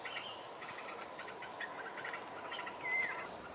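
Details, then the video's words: Yellow-vented bulbul in Singapore giving one of its commoner calls: quick, staccato chirps and a short clear whistle, over a steady high insect drone and background hiss. "BIRD CALL: YELLOW-VENTED BULBUL"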